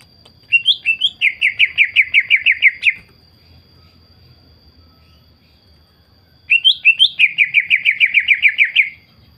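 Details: Greater green leafbird in vigorous song, used as a lure to make other leafbirds answer and sing; two bursts of rapid, evenly repeated chirping notes, each opening with a rising whistled note, separated by about three seconds of quiet.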